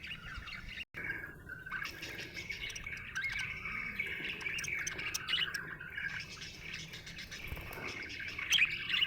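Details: Happy budgie keeps up continuous warbling chatter of buzzy, scratchy notes and quick chirps, after a brief dropout near the start, and closes with sharper squeaks.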